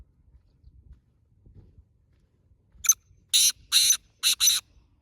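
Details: Black francolin calling on a road: after a quiet start, a short harsh note, then two long grating buzzy notes and a quick final pair of rasping bursts, loud against faint low rumble.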